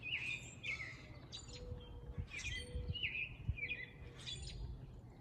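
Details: Male grackles displaying and calling: shrill, squeaky notes with rising whistles and harsh bursts, repeated about once a second, over low rumbling background noise.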